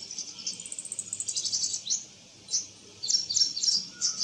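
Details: Soft, fast, high twittering from a purple sunbird in eclipse plumage in a backyard, with separate squeaky bursts after short pauses and a faint background hum.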